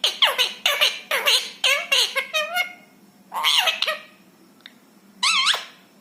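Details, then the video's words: Rescued ringneck parrot talking indoors: a fast string of rough, harmonic syllables in the first two and a half seconds, then a drawn-out falling phrase and a final bent, wavering word after a pause. "बोलने वाला तोता। Parrot Talking । मिट्ठू मिया की प्यारी बातें ।"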